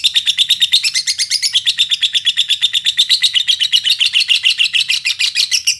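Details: Lovebird song used as a lure to provoke other lovebirds into singing: a continuous, rapid, high chattering trill of about five notes per second, steady throughout, with faint low background noise.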